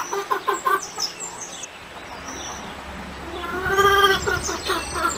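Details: A chicken gives a quick run of six short, rhythmic clucks at the start. After a quieter gap, a longer, rising-and-falling harmonic call follows over faint background noise.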